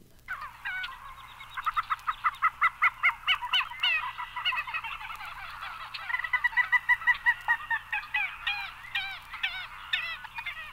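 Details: Common Gallinule giving a long run of harsh, nasal clucks, fast and uneven, rising into a chattering cackle and then trailing off into spaced notes.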